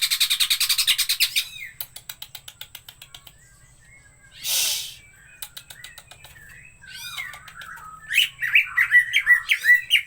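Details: Green leafbird singing energetically: opens with a fast rattling series of high notes, then scattered sharp clicks and a brief noisy burst, ending with a run of quick whistled, swooping phrases.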